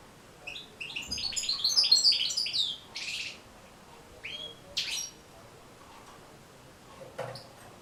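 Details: European goldfinch song used for teaching birds to sing: one brief rush of high twittering notes, then scattered single chirps and a sharp call against a quiet background.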